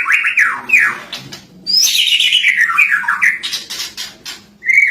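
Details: Lovebird singing 'cililin' fill material meant for tutoring songbirds: quick falling whistles, a long chattering phrase sweeping downward from high pitch, and a closing flat whistle.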